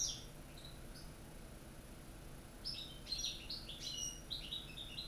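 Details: European goldfinches kept in cages, including a Corsican, a North African and a young Spanish bird, singing the true Corsican song: a few sparse chirps, then a lively run of high, rapid twittering notes near the end.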